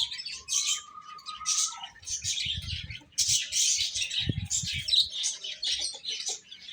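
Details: Baby chickens chirping as they eat: a thick chorus of high, shrill cheeps, a faint rising whistle-like tone early on, and low thumps in the middle.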